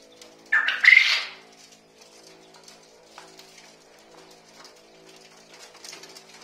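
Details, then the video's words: Quail giving one loud, harsh, rolling burst under a second long, like "kok-korrr", matching the described male call (females are said to sound very low), followed by near silence with a faint background hum. "Male quall sounds " kok korrrrr" whereas female quail sounds very low"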